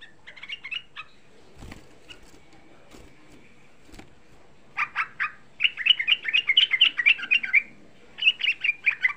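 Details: Young sooty-headed bulbul singing, used as a lure to excite other bulbuls into calling: a few scattered chirps and faint clicks, then a dense, rapid run of bright chattering notes in quick bursts.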